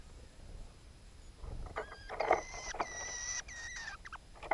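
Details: Red-backed shrikes (Lanius collurio) at their nest, where the male brought a moth, the female fed it to a chick and ate its droppings: thin, squeaky, drawn-out calls, about three in two seconds, with soft clicks and rustling at close range.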